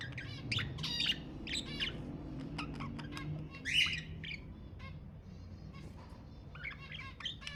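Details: Budgerigar chatter to stimulate breeding: scattered buzzy chirps and squeaks with a quieter middle stretch, one louder harsh call, and soft low background hum.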